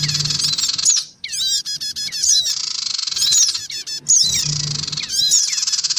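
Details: Black-winged cuckooshrikes, adults of both sexes and young, played as a bird lure: bursts of harsh buzzing chatter alternating with clusters of quick falling squeaks, roughly every second or two.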